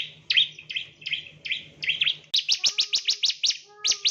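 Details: Ciblek, the bar-winged prinia, used as a lure for training birds: slower rounded chirps give way halfway through to a fast, crisp series of loud downslurred notes, with a low hum early on.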